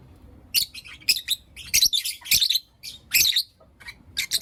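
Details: Blue Opaline and Lutino Opaline lovebirds chirping in the morning, dense bursts of shrill, harsh high chirps in clusters, nearly continuous with short pauses.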